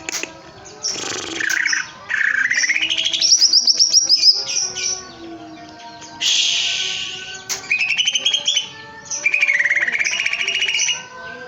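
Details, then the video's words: Caged greater green leafbird singing vigorously in bursts: a rising slurred whistle climbing into rapid high trilled notes, followed by buzzy chattering phrases and a final rising warble, with short pauses between outbursts. "Burung cucak ijo gebrak kandang gacor"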